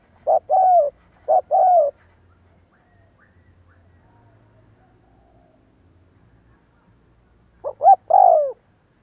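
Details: Captive spotted dove used as a decoy, cooing: two quick coo phrases of a short note and a longer falling note, a long silent gap, then one more phrase.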